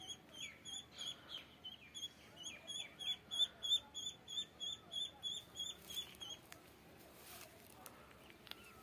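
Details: High-pitched duckling peeps repeated rapidly and steadily, about three per second, building in loudness midway before fading, with low background noise.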